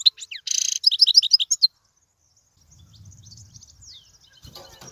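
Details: European goldfinch, recorded for teaching young birds: a short burst of quick chirps and a buzzy rattle, then near quiet with low rumble and a final rustling noise.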